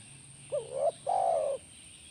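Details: Cooing of a spotted dove, used to prompt a caged dove to reply: a brief rising-and-falling hoot leading into a drawn-out, steady, soft coo, low-pitched and clear over a faint constant hiss.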